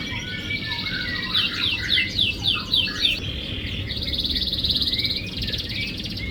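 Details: Canary singing as a lure for a silent canary: rapid descending slurred notes in quick series, then a sustained rattling trill, with constant hiss and rumble behind.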